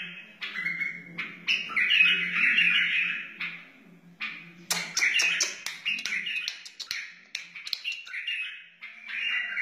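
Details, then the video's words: White-eared bulbul, a wild bird, in a rich run of chattering and fluty warbled phrases with short pauses between them, and a faint low hum underneath. The song is meant to teach chicks and encourage other bulbuls. "تغريد بلبل وحشي بدقة عالية اصلي لتعليم الفراخ و تحفيز البلابل"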